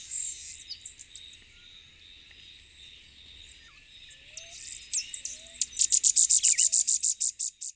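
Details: The Elfin-woods warbler, endemic to Puerto Rico, sings a fast run of about a dozen thin, very high notes after a few scattered chips, over steady insect buzzing.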